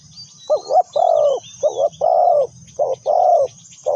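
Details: Decoy spotted dove used for trapping, three quick cooing phrases of short notes followed by longer soft coos, with a low rumbling background, high insect drone and other birds chirping.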